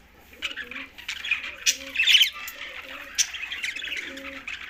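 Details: Green budgies keep up a soft, scratchy twittering with sharper squeaks and a louder burst midway. Faint low, hooting tones recur in the background.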